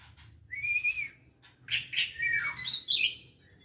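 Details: White-rumped shama, known locally as kacer Aceh, recorded 24 December 2022, giving a rising whistled note followed by a pause, then a rich burst of varied high whistles and slurred phrases, with a faint low hum beneath.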